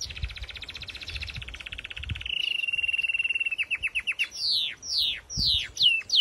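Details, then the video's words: Canary bred for singing ability opening with a fast buzzy trill that slows into separate piping notes, then long descending whistled swoops, with faint low background rumble. "Song canaries singing : Bred for their sweet Canary singing ability"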